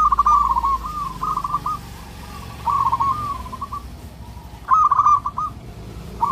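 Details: Local zebra dove singing loudly while calling for a mate: three bursts of rapid, rolling coo notes near one pitch, each phrase ending in a drawn-out tone, separated by quiet pauses, with a low rumble early on.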